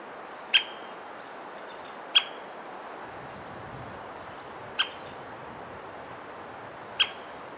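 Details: Four sharp, clicky single calls from a White-backed woodpecker of the Ezo subspecies in Hokkaido, Japan, irregularly spaced, with a brief high thin trill from another bird and a low rustle between them; Nikon COOLPIX P950.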